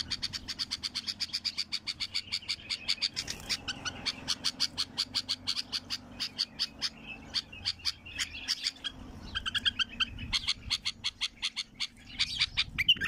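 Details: A wild bulbul delivers a long, rapid series of hard repeated pulses that come in bursts, with a brief pause and then a shift to more varied chattering notes before the rapid pulsing resumes.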